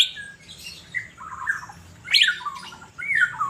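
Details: Caged Asian fairy-bluebird sunbathing in Banjarmasin gives harsh, falling squawky notes in a mid-high register, broken by one sharp, high upward note. Sound is close and loud.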